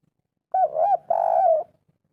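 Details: Spotted dove calling in the local 'kuk 3' style, played to make a quiet bird answer: a two-part arched coo then a drawn-out falling note, with faint low hum.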